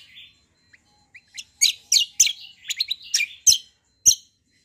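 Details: Greater green leafbird in energetic long-roll song, starting with soft, scattered notes and building into loud, sharp, high chips and buzzy twitters spaced about half a second apart.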